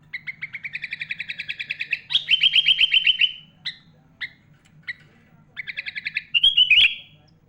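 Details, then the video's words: Trained sooty-headed bulbul delivering a song full of imitated phrases of other birds, used for tutoring; a long accelerating series of repeated chips leads into a buzzy warbled run, then isolated notes and another quick chip series, over a low hum. "Suara Burung Kutilang Gacor Full ISIAN MEWAH"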